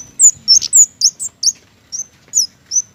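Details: Flowerpecker, a mistletoe-eating Indonesian garden bird, calling with loud thin high downslurred tsip notes, about four per second at first, then more spaced.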